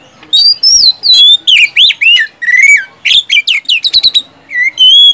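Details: Caged oriental magpie-robin in full gacor song meant to coax sluggish kacer into singing, a dense run of loud whistled notes sweeping up and down, nearly continuous with brief gaps.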